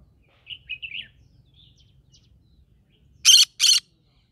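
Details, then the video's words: Green-cheeked conure in the middle of a rice field, singing: three quick warbled chirps, a pause with faint twitters, then two loud harsh squawks close together. "Green cheek conure singing"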